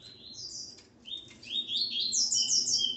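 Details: Brisk Coleiro song from a male accompanied by his female: a high steady note, then stepped upward-sweeping chirps merging into a continuous shrill warble that stays high to the end.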